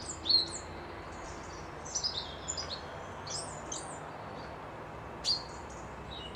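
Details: Wild birds at a lodge near a loch in Dundee during a midweek break: scattered high, thin whistles and chirps from several birds, with a louder sharp whistled note near the end over a steady low background hum.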